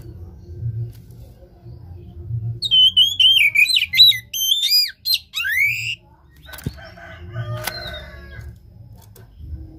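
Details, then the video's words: Kacer, the Oriental magpie-robin, sings as a lure to rouse a caged bird that has stopped singing: after low hum, a dense three-second burst of piercing whistles, trills and steep downward sweeps, followed by scattered clicks and a faint later note. "Pancingan KACER malas bunyi macet kurang birahi"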